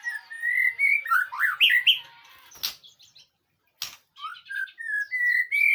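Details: White-rumped shama song for training and drawing a reply: a loud run of flowing, looping whistled notes, a pause broken by two sharp clicks, then a series of rising clear whistles building up again.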